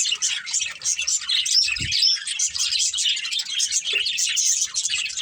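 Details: Budgerigars in a family group giving dense continuous chirping chatter with a couple of rising whistles, plus a brief low thump.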